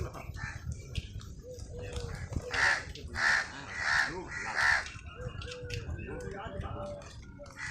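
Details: Crow cawing while eating, in a scene with a squirrel; a run of four harsh, nasal caws roughly every two-thirds of a second, with quieter voices and low background noise before and after.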